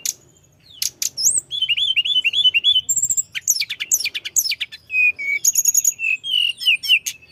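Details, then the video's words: After a brief quiet start, a mountain flowerpecker launches into rolling song aimed at rival birds: repeated wavering whistles, dense high chips and short trills in quick succession, with faint hum. "Kicau gacor tledekan gunung ngeroll‼️Ampuh menaikkan emosi lawan"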